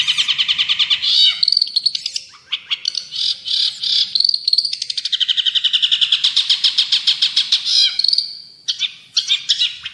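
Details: Long-tailed shrike singing nonstop, recorded as tutor song for birds: fast rattling trills and buzzy chatter, roughly three to four pulses a second, interrupted by short clusters of sharper chirps and a few brief pauses.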